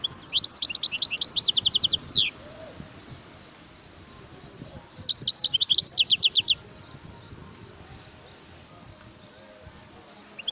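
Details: Song of a wild European goldfinch, two quick tinkling bursts of high chirps ending in fast trilled runs, several seconds apart, with quiet low rumble and soft background noise between phrases.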